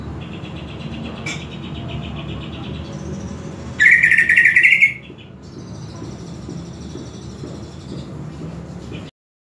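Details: Greater green leafbird tutor recording: soft thin steady notes, then a loud one-second burst of dense warbling, followed by quieter high thin whistled tones before silence.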